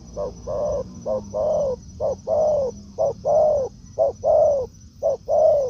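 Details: Wild spotted dove answering a decoy in the forest; a steady run of five paired coos, each a clipped note followed by a longer, slightly falling hollow coo, roughly one pair per second.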